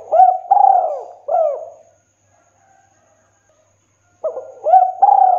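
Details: 'Kuk 2' style song from a spotted dove, recorded clean for training and luring. Rounded coos and one long drawn note come in a close series, then a pause, then a hoarse note leads into more mellow coos.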